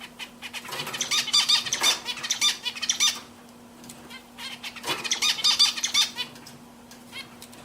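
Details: Pet zebra finches singing together, giving dense runs of nasal, buzzy, honking notes in two busy bursts of about two seconds each. Quieter gaps fall between the bursts, with a steady low hum underneath.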